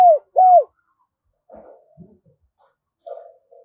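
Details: Spotted dove call used as a lure for wild doves: two smooth, arched, falling coos open the moment, followed by faint, muffled, rustling sounds.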